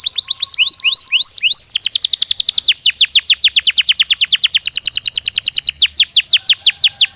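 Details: Belgian canary in natural song: a few rising slurred notes open into a long, fast, loud series of repeated downward-swooping whistles that slows gradually toward the end.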